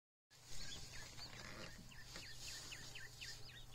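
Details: Button quail chicks: thin, high peeps falling in pitch, repeated about every quarter second in a steady series, over a constant low hum and background noise.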